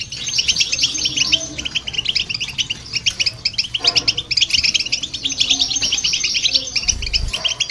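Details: European goldfinch alongside a hybrid, song for exciting other birds; bursts of fast tinkling chirps with brief pauses, a few soft low thumps in the background.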